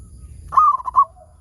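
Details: Local zebra dove song used as a lure to make other zebra doves sing: a single phrase of soft, clipped cooing notes that trails off into a fainter low coo.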